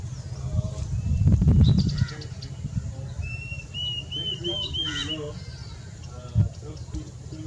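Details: Diederik cuckoo (Chrysococcyx caprius) singing a quick run of about six clear, high whistled notes that climb slightly, a song very similar to the Plaintive Cuckoo's, over heavy low rumbling and a few thumps.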